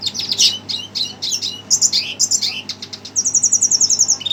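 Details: Red siskin singing in agitation on hearing a played recording: rapid high twittering chirps and sweeping notes, ending in a fast even trill of short repeated notes.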